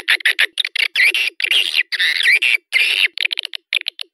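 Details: Swiftlet lure call, used to draw swiftlets to a bird house: dense bursts of harsh, buzzy chattering notes alternate with rapid clicking ticks, the longer buzzy calls wavering up and down, with no other sounds.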